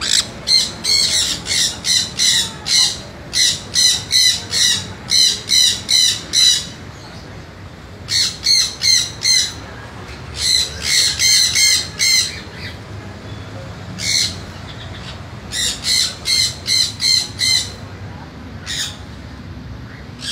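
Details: A sun conure, described by its owner as very naughty, gives loud, harsh screeching calls in rapid bursts of repeated shrieks.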